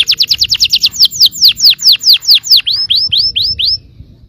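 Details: Yellow canary song used to stir other canaries to answer: a fast series of high, sharply falling whistled notes that slows and lengthens into about five drawn-out downslurred notes before stopping.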